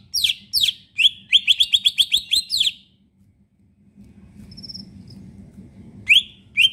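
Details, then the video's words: Leafbird kept by bird-keeping hobbyists, singing fully to draw song from quiet birds: a fast string of evenly spaced chirping whistles, a silent stretch with faint hum, then two sharp notes to finish. "cicak ijo gacorr full isian"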